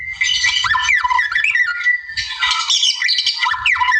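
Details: Wild white-rumped shama singing to draw out a rival: loud harsh squawks and swooping whistles blended into rapid, varied phrases, with a short gap near the middle.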